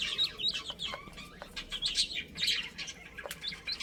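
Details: Little chicks at play chirp steadily: short high peeps, some sliding downward, come in loose bursts over a faint background hiss.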